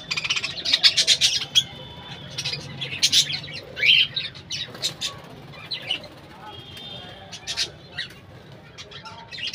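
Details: A bird-house colony of budgerigars keeps up busy overlapping chirps, squawks and short whistled notes, loud at first, then thinning to intermittent calls.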